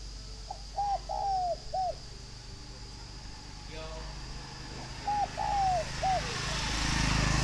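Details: Spotted dove kept at a farm in Ba Vi, Hanoi, giving two cooing phrases of paired short notes, a longer falling coo and a final hoot, with a brief soft sound between and rising noise toward the end.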